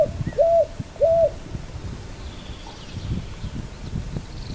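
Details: Two brief rising-and-flat cooing notes from a picui ground dove open the recording, then only low rumble and faint distant high bird sounds remain.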